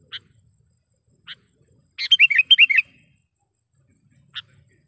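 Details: Sooty-headed bulbul lure call, used to draw in wild birds for trapping: a short burst of bubbly, rapidly warbled notes about a second long, framed by three isolated sharp chips spaced over several seconds.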